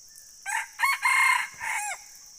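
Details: Red junglefowl crowing: one short, harsh, strongly harmonic crow broken into four segments over about one and a half seconds, the last drawn out and falling. A steady high insect drone runs beneath.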